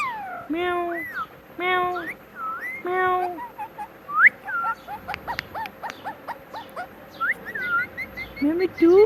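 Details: Pet parrot talking, repeating "Mitthu": three evenly spaced rich, voice-like syllables, then a run of short whistles, clicks and rising whistled notes, ending on a rising voiced syllable.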